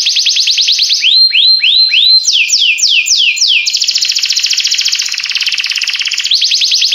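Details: Singing canary in full melody: a fast high trill, a handful of slower swooping whistles rising then falling, a long rolling buzzy tour, then a return to quick sweeps.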